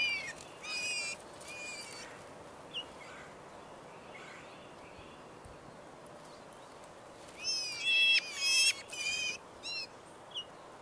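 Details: Several male rose-breasted grosbeaks contending with each other and other birds for sunflower seed, suet and grape jelly at backyard feeders; loud bursts of warbled, harmonic whistled notes open the recording and return in a busier run near the end.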